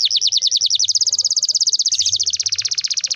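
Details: Singing canary in a long rolling song meant to coax young canaries into singing: rapid repeated high notes forming a fast trill for about two seconds, then a slightly lower, faster roll.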